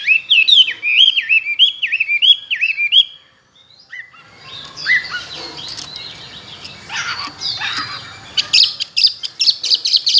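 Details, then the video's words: A tame caged Chinese hwamei, kept two years and said to sing many wild-style voices and be a good competition singer, gives loud, rich, rapidly varied rising and falling whistled phrases, then after a pause a denser, jumbled stretch over faint hum. "Họa mi thuần nhiều giọng rừng,chim đấu hót tốt"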